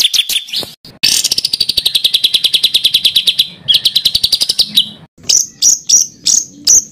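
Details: Songbird on a masteran recording for training contest birds, rough rolling kasaran ngeroll: a few sharp chips, a long fast rolling trill, then separate clear high whistled notes spaced about half a second apart.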